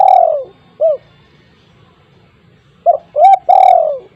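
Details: Spotted dove with a big voice, kept to lure untamed doves, ending one cooing phrase with a long falling coo and short note, then beginning the next with a short note, rising coo and drawn-out descending coo.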